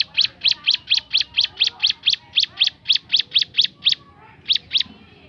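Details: Bar-winged prinia (ciblek gunung) singing a 'tembakan' variation: a rapid run of about sixteen sharp, high, clipped notes at an even pace, a brief pause, then three more notes.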